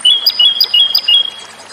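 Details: Brief fragment of Japanese robin song: quick repeated two-tone notes, about four in under two seconds, bright and clear above a soft hiss.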